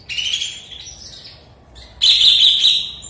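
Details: Sooty-headed bulbul back in full voice after moulting, having stopped singing for a while; two rich, chattering high phrases, the second louder and denser, with faint low background hum.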